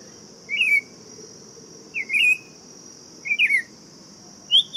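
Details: Buff-throated Saltator singing four brief slurred whistles spaced over a second apart, the last one higher and clearer, with a continuous high-pitched hiss in the background.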